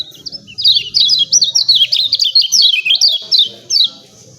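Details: Rapid chattering of a lemon-bellied white-eye, used to make birds sing: high, sharply descending chirps, roughly three per second, running for about three seconds before fading out.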